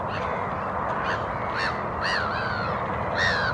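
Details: A pair of lesser black-backed gulls scavenging on a lawn in Helsinki, Finland, in April, calling softly: a few short nasal calls, then longer falling mewing notes over wind, with common and black-headed gulls in the background.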